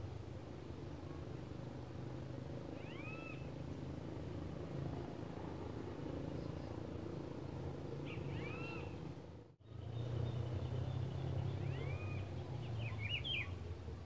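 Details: A Rufous-browed Peppershrike, a very shy, wary bird, sings near a house: short, rich whistled phrases of arched, slurred notes about every four to five seconds over a steady low traffic rumble.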